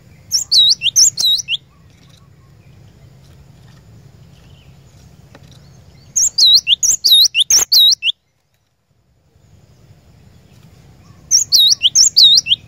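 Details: Lure song of the cinereous tit, known locally as glatik batu, meant to prompt a caged bird into continuous song: three separated bursts of rapid, high, swooping two-note phrases, with a low background hum and a brief silent gap.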